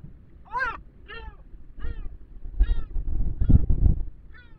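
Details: Gulls pestering near an osprey nest on a sea cliff in the Cabrera Archipelago National Park during strong wind; drawn-out wailing, slightly nasal calls about every half second, with heavy low wind rumble.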